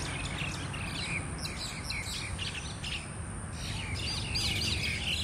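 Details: Myna; calls; fighting in a group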